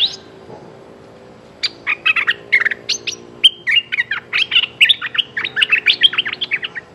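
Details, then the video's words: Streak-eared bulbul calling to a mate, pouring out a long, busy stream of rapid chirps and warbled chatter for about five seconds after an opening whistled note, with a faint background hum. "Suara pikat merbah lekir"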